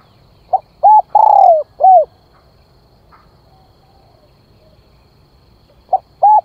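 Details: Spotted dove calling as a decoy to lure others: a phrase of short note, arched coo, long falling coo and arched coo, then silence before the next phrase starts with a short note and coo.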